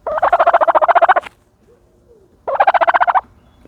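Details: While bathing in dirt, a turkey gobbles twice, each a fast throaty rattle of evenly spaced pulses, the first about a second long, the second shorter after a pause.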